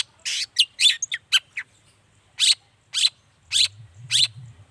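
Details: Long-tailed shrike (cendet) song opening with a rapid burst of chirps and slurred whistles, then four slower harsh rasping notes, used to make other shrikes respond; low hum at the end.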